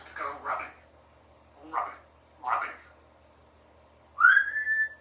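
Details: Pet female Congo African grey parrot, aged three, practising sounds: three husky spoken syllables, then a loud rising whistle that levels off and holds.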